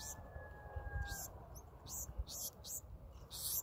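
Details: Begging from a Black-throated sparrow being fed by adults: short, high, noisy peeps repeated several times a second, with a steady hum-like tone fading out early and a low rumble underneath.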